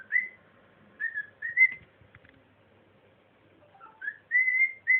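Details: Male pet cockatiel practising songs he knows, singing quietly, whistles a tune of clear, rising notes in short phrases with brief pauses between them.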